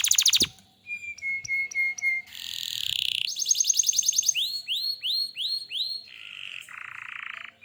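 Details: Lively canary song: a sharp click-like burst, then a level whistled tone repeated in short pulses, a buzzy rolling passage, a fast high trill, rising arched whistles about every half second, and two brief buzzy notes.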